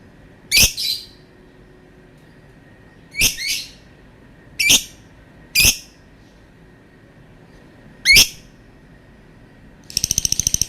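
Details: Lovebird uttering harsh, piercing squawks, some doubled, scattered irregularly across ten seconds, ending with a brief rapid buzzy pulsing trill.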